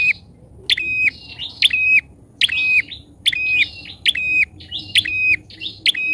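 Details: Captive bar-winged prinia lure bird in full voice. Around seven sharp, buzzy calls come at about one per second, each with a crisp click and then a rasping level tone. Quiet background.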